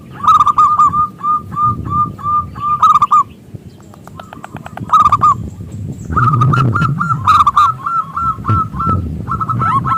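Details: Zebra dove (perkutut lokal) song used to coax other doves into singing: fast runs of rising whistled coos interspersed with trilled bursts, and a low rumbling noise underneath.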